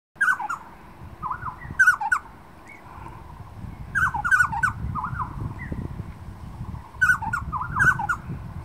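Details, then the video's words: Rusty-cheeked scimitar babbler singing in the mountains of Keelung City, Taiwan, on 18 March 2019: mellow, hollow whistled phrases of several quick notes, repeated about every three seconds, with short dry clicks and a low background rumble. "大彎嘴（Pomatorhinus erythrogenys）鳴唱記錄"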